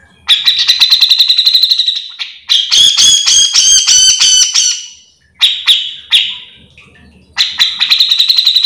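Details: Grey-cheeked bulbul in full song, used as a lure for other birds of its kind, gives loud, harsh, chattering bursts of rapid rattling notes, about four a second, broken by brief pauses.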